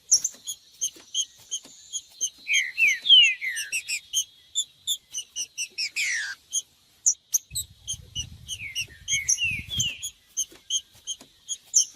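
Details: Green-winged saltator recording for warming up a captive bird ahead of singing tournaments: fast sharp chips throughout, a run of descending whistles near the start and again near the end, a brief noisy burst midway, and faint low rumbles.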